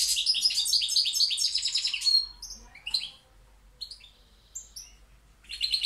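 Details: Balcanica goldfinch from Pirot opening with an energetic, rapid twittering phrase, followed by sparse, separate high chirps and a renewed bright burst of song near the end.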